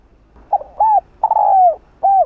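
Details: Spotted dove, a local field-type voice used to lure wild doves, cooing in a soft, hollow phrase of four low notes, the longer third note drawn out and gently falling, with faint low background hum.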